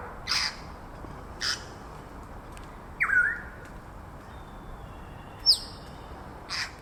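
A Grey Parrot gives harsh, rasping squawks about once a second, with two clear whistles between them, one falling from middling to low and one sharp and high.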